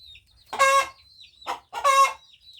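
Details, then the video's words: Harsh crowing from a hen: a loud grating call, a brief weaker note, then another strong raspy call, with a thin high whistle-like bird note running behind. "Suara ayam betina berkokok"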